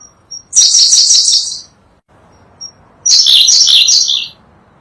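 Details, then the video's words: Sunda blue robin song used to tutor cage birds; a species endemic to Java and Sumatra. Two dense, high chattering-warbled bursts of about a second, a faint thin whistle before each, quiet between. "Berkecet biru, burung unik dengan kicauan merdu"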